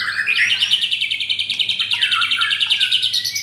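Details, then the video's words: White-rumped shama kept in a cage in Jakarta, delivering 'pastol' material with a rapid run of even, pulsed notes at about three per second, dipping in pitch midway before rising again, loud and continuous. "4 Murai Batu - Ada Pastol"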